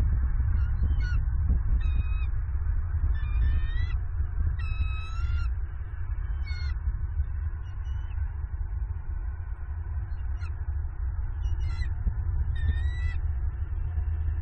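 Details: Female bald eagle at a Southwest Florida nest, 27 November 2022, calling as she claims food her mate brought. Irregular scattered high whistled chirps, some in short chattering bursts, with gaps of a few seconds, over a continuous low wind rumble.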